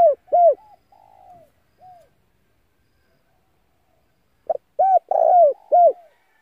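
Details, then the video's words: A spotted dove used as a decoy to draw wild doves cooes. Two arched coos end one phrase, faint distant coos follow, then a full loud phrase of clipped notes and hoarse coos returns. "Tiếng cu gáy mồi gáy gọi kích bổi căng lửa"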